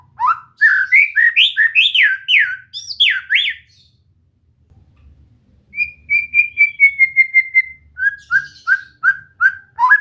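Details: White-rumped shama song training: a quick string of rising whistles, a pause, one long whistle gliding slowly down, then a steady run of short repeated notes.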